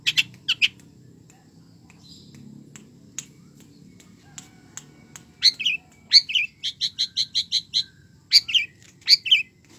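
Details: Long-tailed shrike singing actively with a rich mimicry-laden song: scattered sharp clicks and ticks, then a fast run of bright, evenly spaced chirps repeated about three per second, ending in a few louder warbled notes; low background hum.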